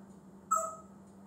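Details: Single short whistle from a male African grey parrot kept at home, a keen talker and mimic of noises: clear, steady, slightly falling tone with a softer lower note beneath, over faint hum.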